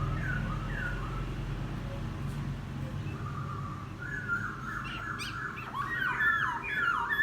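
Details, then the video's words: Recently trapped laughingthrush singing outdoors after ten days in a cage: a few soft falling whistles, a pause, then a busier chattering run of warbled, looping notes over a low rumbling background. "Khướu bổi hót gió ( chuyện kích bổi hót cực sung"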